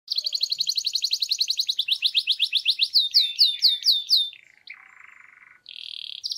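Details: Canary singing: fast trills of repeated notes, a rapid buzzy roll giving way to slower looping swept whistles, then a short harsh buzz and a brief high steady tone.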